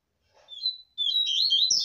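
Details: Seedeater singing the 'tui tui zero zero' song used for training caged birds. A thin whistled opening note is followed after a short gap by a rapid, bright, rising and falling warble that runs to the end.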